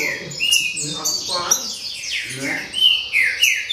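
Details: Green-winged saltator delivering baderna song, a fast, varied string of bright descending whistles and sharp high notes, with a soft buzz of voices underneath.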